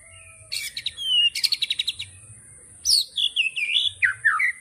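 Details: White-rumped shama (murai batu) giving its 'tembakan' rapid-fire song: a high whistled note, then two bursts of fast clicking trills, then a run of looping, slurred whistles that swoop up and down, over a faint low hum.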